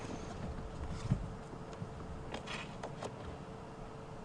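Low rumbling wind and vehicle noise with a steady faint hum and a few brief knocks, no animal calls.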